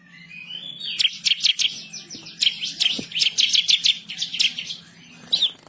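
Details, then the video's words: Bar-winged prinia masteran song, vigorous with sharp shots: a run of piercing, slurred high chips delivered irregularly and quickly, ending with a final short note. "burung MASTERAN ciblek kristal gacor // ngamuk ngotot ngerol nembak pedas"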